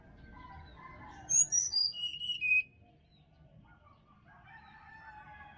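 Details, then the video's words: Wild sirdadu singing in a Bali forest: a loud burst of short, clear whistled notes stepping downward from very high to mid pitch over about one second. Softer warbling birds are heard before and after. "SUARA ASLI HUTAN SRDC BALI COCOK UNTUK PANCINGAN DI PAGI HARI SRDC MALAS BUNYI"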